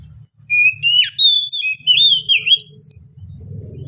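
Oriental magpie-robin giving a loud, varied run of clear whistled phrases, slurred up and down with quick chirpy notes, over a faint low hum.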